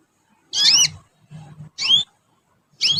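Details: Three bright, high chirps from a young canary learning to sing, each a quick downward swoop with a rising tail, spaced about a second apart, with a faint low hum between them.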